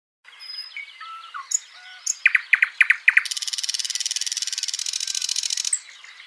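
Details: Backyard birds in Washington State, recorded as real ambient nature sound: thin whistled notes and a run of sharp chips, then a fast even buzzy trill lasting about two and a half seconds, with other birds calling faintly behind.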